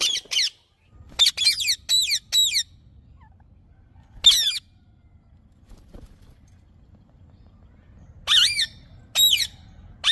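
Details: Sharp, ringing screeches from a green parrot, each note arched and bending downward, given singly or in quick runs of three to four, separated by long silent gaps.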